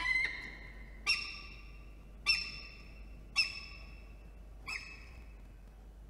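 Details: Peregrine falcon at its nest during incubation of three eggs, filmed by a nest camera in NSW in September. Loud harsh harmonic calls repeat roughly once a second, five bursts with a low steady hum beneath.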